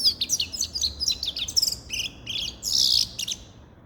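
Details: Dense, continuous twittering from a grey-crowned goldfinch, mixing quick high chirps with buzzy, rasping notes, including a longer harsh buzz near the end.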